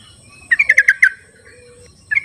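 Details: Wild Sooty-headed bulbul, recorded to coax bulbuls that won't sing; a rapid run of six chirpy, bouncing notes, then a short start of another burst, with a thin whistle and faint insect hiss behind.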